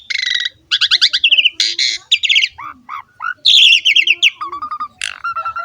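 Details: Asian pied starling song used as a training model to get young males and females to sing: a varied, busy run of harsh chattering phrases, rapid buzzy trills, squawks and clear whistled notes, changing every half second.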